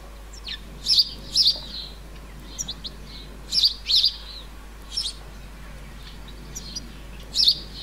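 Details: Juvenile European goldfinch recorded in summer, 30 July 2019, in a flower bed in rural central France: bright high tinkling calls in paired bursts, each pair a couple of seconds apart, with softer chirps between.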